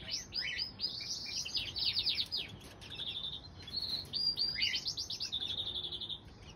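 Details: Two crossbill chicks, hatched 21 and 23 April 2020 and aged 1 and 3 days, beg while their mother feeds them at the nest. A rapid, insistent stream of high, sweeping chirps and thin whistled notes, almost without pause.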